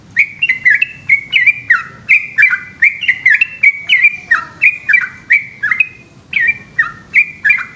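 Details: Yellow-vented bulbul (trucukan) singing vigorously at night in Indonesia, a long 'ropel' song of quick chattering whistles that slur down and hook up, running almost without pause apart from one short gap.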